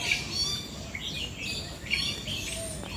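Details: A Red-whiskered Bulbul at Bird Paradise, Singapore, gives bright, liquid chirping notes in short bursts about a second apart, over a steady low background hum.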